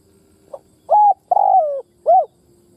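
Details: Decoy spotted dove calling to draw wild doves: a faint opening note, a flat mellow coo, a long coo drifting downward, and a closing rounded coo.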